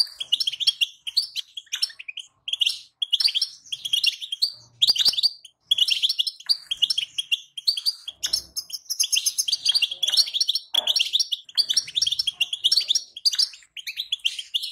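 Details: Female European goldfinch giving a bettbeta call meant to stir a male goldfinch to sing, from a 2020 recording: long runs of quick, tinkling, high chirps and twitters, repeated almost without a break, with brief faint knocks.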